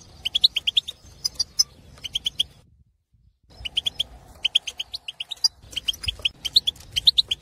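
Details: Male European goldfinch of wild Algerian stock in an aviary, in breeding condition, sings to stimulate other goldfinches: rapid runs of bright, tinkling, chirped notes, several each second, broken by a brief silent gap.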